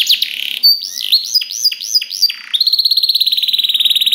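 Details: Canary song used as masteran training audio to prompt other canaries to sing back: rolling swooping whistled notes, then a fast, even, buzzy trill repeated many times per second, very clean and loud.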